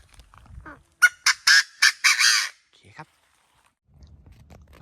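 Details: Wild Chinese francolin crowing from a treetop in July 2024: a burst of five loud, harsh, grating notes in quick succession, the last drawn out, with faint talk and rustling around it.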